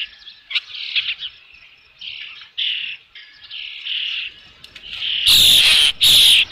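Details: Osprey calling at its Dunrovin Ranch nest while fish is present, 3 June 2018 in late afternoon; thin whistled chirps in short uneven bursts, building to loud, harsh piercing squeals near the end.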